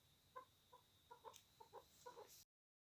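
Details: Chukar partridge kept as a pet, angry in a fight, uttering a short burst of eight clucking notes, some doubled, before the sound cuts off abruptly.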